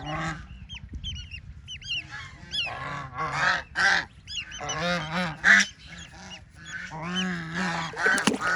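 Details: High, bending peeps from ducklings splashing in water come in clusters, alternating with throaty, buzzy honking calls that grow louder toward the middle.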